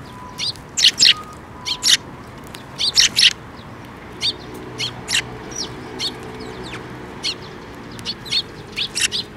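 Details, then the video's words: At a bridge by a Tenmangu shrine on 5 May 2024, sparrows arriving to be fed chirp in short paired bursts, then scattered single cheeps, roughly every second, against quiet surroundings. "水上橋で 餌を貰いに飛んで来る雀達"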